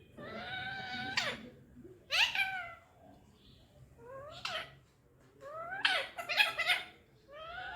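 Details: Indian ringneck parakeet kept as a pet, talking: harmonic speech-like syllables with steep rising and falling sweeps, delivered in separate bursts about a second apart.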